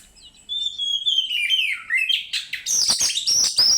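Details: Oriental magpie-robin singing as a lure to get another bird to sing: a long clear whistle gliding gradually downward, followed by a burst of harsh, scratchy, rapidly repeated high notes.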